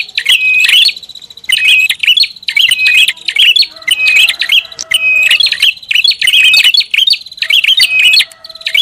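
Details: Prinia lure call given loudly and busily: rapid sharp chirps and buzzy trilled phrases in repeated bursts about every second, with a fainter lower tone at times.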